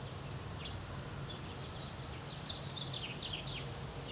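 American goldfinch singing a thin, quick twitter of high chirps and short slurred notes, over a steady low rumble of background noise.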